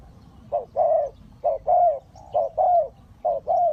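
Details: Spotted dove used as a decoy to lure wild birds into a trap: low, mellow coos in paired phrases, a short note then a longer rolling croon, repeated about once a second in quiet surroundings.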